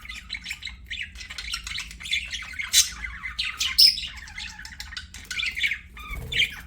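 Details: Budgerigars singing while playing: a continuous chattering warble of mixed squeaky, twittering and scratchy notes, rising and falling without pause, with a few sharper chirps standing out.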